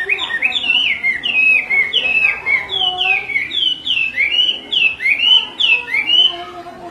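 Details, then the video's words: Chinese hwamei female calling over and over while the male grows agitated; loud, clear downslurred whistles repeated about every half second in a lively, rolling sequence, with little background noise. "Họa mi mái xùy liên tục, họa mi trống không yên"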